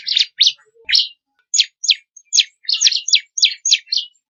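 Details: Crystal ciblek, known as bar-winged prinia, singing one of four variations used for songbird training: a string of sharp, high chirping notes delivered in quick succession with brief gaps.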